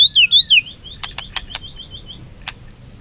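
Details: White-rumped shama singing competitively with tail flicking: clear whistled notes that sweep down and up in quick phrases, then a string of softer slurred whistles broken by sharp clicks, ending on a high sustained whistle.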